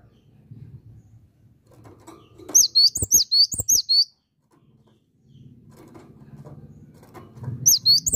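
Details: Cinereous tit singing hard, with a string of sharp, high whistled double notes repeated rapidly, a pause with some knocking and low rumble, then the phrase starting again.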